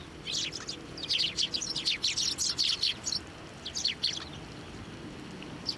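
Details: At a Tenmangu shrine on 24 November 2023, sparrows receive food on posts and from hands. Busy overlapping chirping runs through the middle, several birds calling at once, thinning to a few chirps and one late note.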